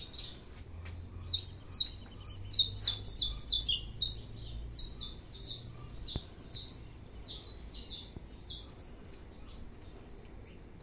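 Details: Saffron finch singing a lot, delivering a long run of rapid, high, buzzy chirped notes about two per second, loudest in the middle and trailing off, over faint low hum.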